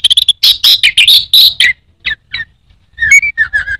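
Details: Orange-headed thrush kept as a songbird in Indonesia, delivering a rapid series of loud high chirped notes, then a few spaced calls and lower whistled slurs.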